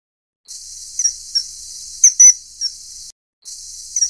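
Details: Common kingfisher (Alcedo atthis) feeding a juvenile: short, sharp, high whistled notes given singly and in quick pairs, with a steady hiss of background noise and a brief silent gap.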